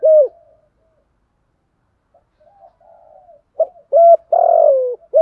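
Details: Spotted dove used as a lure to provoke wild doves: the tail of one cooing phrase, a stretch of soft low murmurs, then a full loud phrase with a long falling croo between clear coos.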